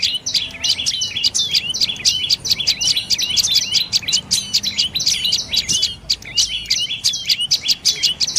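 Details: Dark-necked tailorbird giving an extended run of quick, high, piercing chirps, several per second, steady and insistent for over eight seconds, with only faint low background noise.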